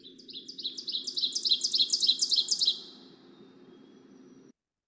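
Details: Ovenbird, a warbler breeding in Newfoundland, sings its loud, insistent "teacher teacher" song, a quick run of high, ringing two-note phrases that grows louder over about three seconds and carries far through forest, over a low steady hum.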